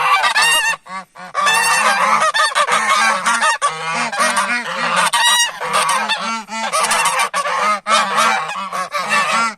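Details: A flock of geese honking loudly and almost nonstop as humans approach, with many overlapping raucous, nasal calls and only brief gaps in the din.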